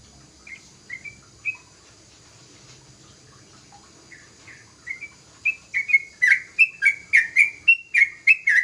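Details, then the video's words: Young sooty-headed bulbul singing loudly: a few soft scattered whistled notes at first, then a rapid run of bright, clipped whistles repeated several times per second in the final three seconds. "Suara burung trucukan muda gacor"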